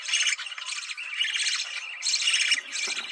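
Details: Budgerigar breeding-stimulation call: loud, dense chattering warble in blocks of squeaky, buzzy notes separated by short breaks, high and continuous.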